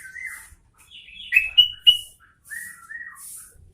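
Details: Sooty-headed bulbul singing vigorously, a quick run of clear whistled notes with two loud rising upslurs in the middle, followed by softer level whistles, while faint high hiss pulses sound behind.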